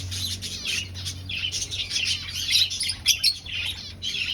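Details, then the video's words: Breeding finches in an aviary colony looking for a nest: a lively overlapping stream of short, high, buzzy chirps from many birds, rapid and uneven, with a faint low hum underneath. "Finch Sounds"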